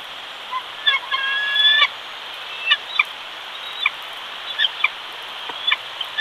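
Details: Bald eagles at a Big Bear nest, California, with the male delivering a fish to feed the lone chick; a short run of high piping tones, then scattered sharp chirps spaced about a second apart over steady background hiss.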